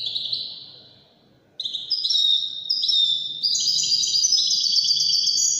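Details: European goldfinch singing in the Moroccan wedani style: a falling whistled note fades out, then a bright run of rapid twittering phrases builds into dense, high, tinkling trills.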